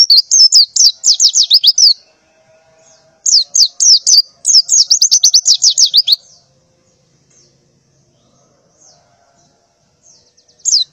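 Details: Two bursts of rapid high chirping from a morning female white-eye in breeding condition calling males, then near silence with a faint low hum and one last short chirp.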